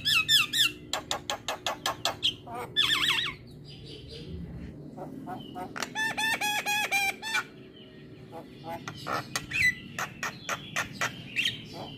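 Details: Black-winged myna song played as morning training for mynas: rapid rattling clicks, a harsh squawk, then a rich harmonic warbled phrase, followed by more scattered chattering notes and clicks.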